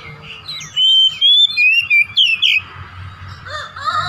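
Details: Oriental magpie-robin lure for getting a home-kept bird to sing its repertoire: a rapid run of about seven loud, clear whistled notes, ending in a rougher twisted note, then softer descending calls and low hum.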